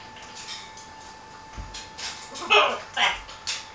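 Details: Pet macaw arguing with its owner, a run of short rough vocal bursts, the loudest two near the end about half a second apart, mixed with the owner's voice and a steady electrical hum.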